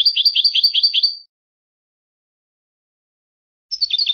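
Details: Singing goldfinch: a quick series of bright, bouncing twittered notes, several per half second, breaking off into silence before another twittering phrase starts; nothing else audible.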